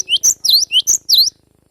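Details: Young glatik batu (cinereous tit) from wild forest, four quick, piercing high notes, each sweeping down and back up, within about a second.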